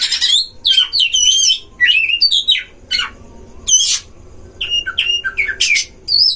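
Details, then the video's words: Oriental magpie-robin duel inside a breeding cage, played to provoke other magpie-robins: choppy sequence of sharp whistled notes, upward and downward slurs and scratchy bursts, with a quieter gap near the middle. "DUEL KACER di kandang ternak‼️pancing semua jenis kacer cpt emosi"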